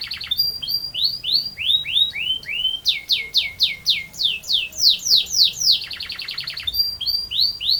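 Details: Energetic canary pouring out a long rolling ngerol panjang song. Repeated downward-sweeping whistled notes come at a lively, slightly uneven pace. A fast dense roll appears midway, then the sweeping notes resume.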